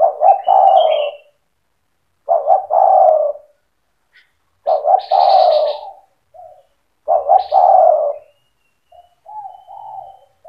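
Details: Spotted dove singing actively in 'cetretan' style to rouse other doves: four repeated phrases of two quick notes and a drawn-out falling coo, softer short coos between, a few brief higher chirps overlapping.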